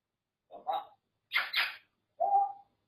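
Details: Grey parrot kept indoors as a pet makes a short nasal squawk, a double harsh rasping screech, then a brief falling whistled squeak.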